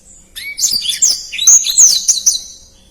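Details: Short phrase from a black-throated canary: one low rising whistle, then a quick, high, jumbled warble of squeaky slurred notes that swells and fades within about two and a half seconds.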